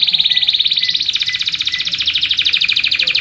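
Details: Canary singing a long, steady rolling trill, rapid and pulsing, sliding slightly higher partway through; song used for tutoring and luring other canaries.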